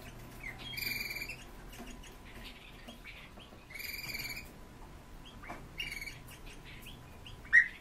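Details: Caged white-rumped shama kept at home: bursts of harsh, rasping notes with bright overtones, separated by short pauses, mixed with softer chirps and ending in a loud, sharp note.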